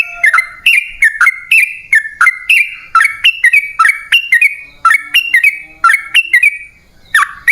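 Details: Sooty-headed bulbul song played as a lure for wild birds, liquid whistled phrases of a few notes repeated roughly every half second without pause; quiet, clean background.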